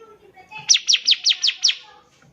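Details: Active bar-winged prinia song for training young birds. A clean, evenly spaced series of six bright, high, down-slurred notes, delivered quickly over a quiet background.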